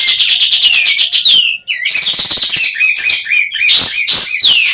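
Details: Female sooty-headed bulbul partly in breeding condition, giving fast, buzzy, stuttering chatter with repeated downward-sliding whistled slurs, nearly continuous throughout.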